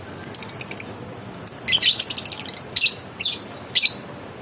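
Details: Lovebird chattering: a fast run of thin ticking notes, then a dense scratchy burst, followed by three separate shrill chirps spaced about half a second apart.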